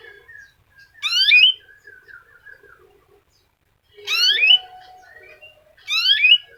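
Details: F1 canary with a unique song style, played to stimulate other canaries to sing: three loud bursts of rising, sweeping whistled notes with bright overtones, about two seconds apart, with soft lower chirps in between.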